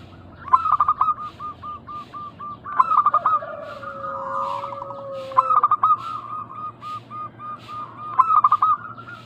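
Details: Local zebra dove singing as a lure meant to get other doves to respond at once. Four stuttering coo phrases at roughly 2.5–3 second intervals, with a long, lower, slowly sliding tone running for about two seconds in the middle.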